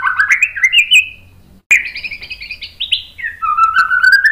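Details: White-rumped shama song meant to provoke a bird into answering: rising whistled notes, a short pause, then a bright run of varied whistles ending in level fluting tones.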